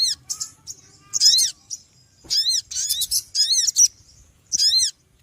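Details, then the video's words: Small bird giving noisy calls: loud, bright bursts of arched, ringing chirps that come in clusters of a second or less, separated by short pauses. "Suara Burung Kecil Ribut Ampuh"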